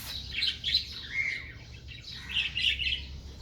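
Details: Female cockatiel, sad and angry over the deaths of her two young, giving harsh chirping calls in two clusters of quick, scratchy notes with a brief lower whistled note between them, over a faint low hum.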